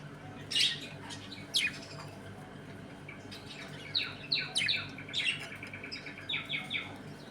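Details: A home colony of budgerigars eating, playing and fighting: sharp squawks early, then rapid runs of short chirps and trilled notes repeated in quick succession.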